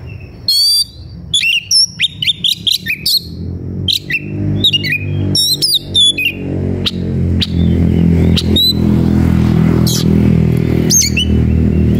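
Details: Agitated Oriental magpie-robin singing in search of a rival to fight: bursts of sharp whistles and harsh, buzzy notes in the first seven seconds, then a steady low engine-like hum dominates.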